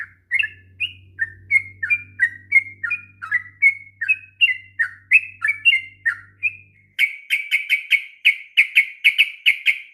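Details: Sooty-headed bulbul, a lively and persistent singer kept as a tutor bird for young bulbuls, giving a long unbroken run of short bubbling whistled notes, about two per second, that speed into a rapid burst of notes at the end.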